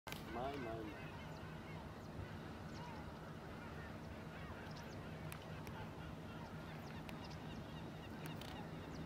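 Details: American flamingo at Marano Lagunare lagoon, Italy, on 4 April 2024, giving a short, nasal, goose-like honk, followed by low murmuring flock chatter with scattered faint calls and a steady background rumble.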